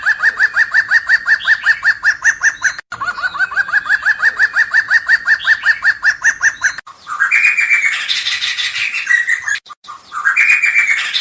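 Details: Black-hooded laughingthrush: long runs of quick, repeated, laughing notes, nearly three per second, broken by short gaps, followed by louder harsh, rasping, rising and falling phrases.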